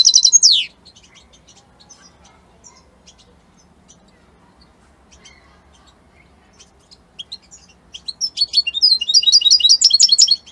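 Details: European goldfinch, described as Italian, singing: a sharp downward-sweeping high note at the start, near-silence with faint ticks, then a fast run of bright twittering, buzzy trills in the final three seconds.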